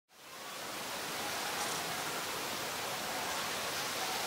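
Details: Broadband rushing hiss like flowing water fades in at the start and holds steady; no animal calls.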